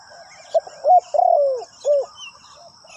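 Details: Decoy spotted dove luring wild birds with a single cooing phrase: a soft hoot, a sharper note, then a long wavering croon falling in pitch and a final rounded coo. Light chirps from other birds over a faint steady whine.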